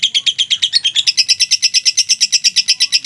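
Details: Continuous ngekek trill by a mentil lovebird, fast high chattering pulses that shift slightly upward in pitch after the first second and keep an even beat for three seconds.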